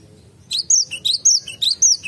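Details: Cinereous tit in a garden, loud and close: three rapid phrases of a high slurred whistle falling to a lower note, repeated about twice a second.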